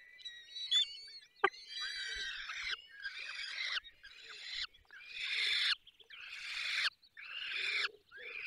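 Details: Falcons at their nest in the Barycz Valley, Poland, during feeding: harsh, raspy, drawn-out calls about a second long, repeated with short gaps, opening with a few thin tonal whistles.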